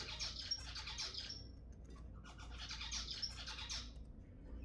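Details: Zebra finch song played to stimulate mating: two dense phrases of rapid buzzy, nasal notes with bright high overtones, each lasting about a second and a half, separated by a short pause, over low hum.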